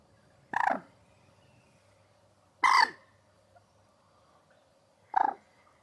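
Common Moorhen giving three loud, harsh, explosive croaks about two and a half seconds apart, each short and gurgling, over a faint low hum.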